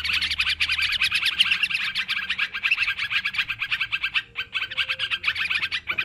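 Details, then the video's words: Yellow-vented bulbul lure recording of noisy calling: a busy, continuous chatter of bright, rapid bulbul notes, bubbling and overlapping as if several birds call at once, with no pause. "Suara Mikat Trucukan Ribut"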